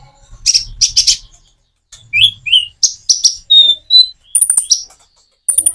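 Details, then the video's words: Common iora song with natural gaps, intended to prompt other birds to sing back; harsh chattering notes, then slurred rising whistles, clean pure tones and very high thin notes, separated by short pauses. "Kicau burung konin jeda natural untuk pancingan"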